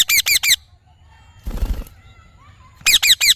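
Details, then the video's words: Parrot producing two bursts of three quick ringing squawks each, separated by a low rumbling noise in between. "Parrot Natural Sounds / Voices"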